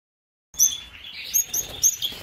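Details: Red-rumped parrot pair, an opaline blue/pastel cinnamon male and an opaline blue female, shown at a 2019 bird show; high thin whistled chirps, several short bright notes repeated over about two seconds after a silent start.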